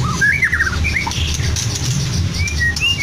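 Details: White-rumped shama from Medan, caged, singing imitations of lovebird, canary and other birds: a few sweeping whistled notes and slurs over a constant low rumbling background hum.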